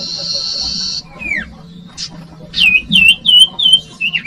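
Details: Common iora singing, used to lure young birds: a long buzzy trill, then downslurred whistles, then a rapid series of loud, bright, chirping notes about three per second, over a low background hum.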